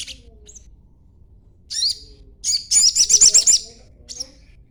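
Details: Lure chatter of a young sogon, played to make other birds reply: a few scattered high calls, then a fast, pulsing run of about ten sharp buzzy notes, then one last short call.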